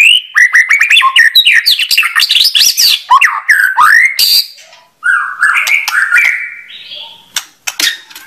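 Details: Loud, clear white-rumped shama song: a burst of varied sweeping whistles and clicks, followed after a pause by a softer rising warble and scattered chips.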